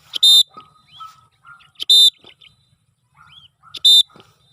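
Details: Cockatiel on its first free flight, giving three loud, harsh screeching calls, each short and spaced about two seconds apart. Faint chirps and soft whistled notes are heard between them.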